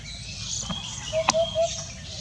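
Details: Common hoopoe calling on a heavily foggy Sunday morning, 31 January 2021, in Thailand: three soft, low hollow hoots in quick succession, with a sharp click between them over faint hissing insect background.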